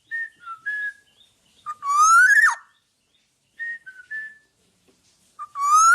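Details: Black-naped oriole in full song, used to train other birds: short fluty whistled notes alternate with a loud, nasal, rising drawn-out call that ends abruptly, the pattern repeating after a quiet pause.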